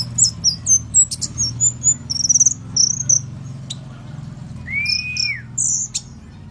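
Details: Lure song of an oriental white-eye: quick high twittering notes and a short trilled burst in the first half, then a lower, smooth arched whistle and a few more high squeaks.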